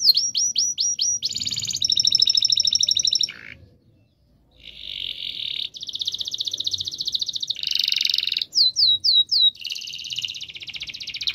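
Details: Singing canary used to prompt silent canaries: quick whistled notes, buzzy rattles, a brief pause, then long dense trills broken by a few sharp downslurred whistles.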